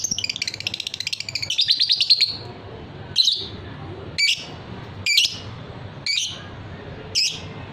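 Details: Fighter lovebird delivers a long ngekek: a fast, buzzy, rapidly pulsed trill running for about two seconds and rising in intensity, followed by single harsh squawks spaced about a second apart.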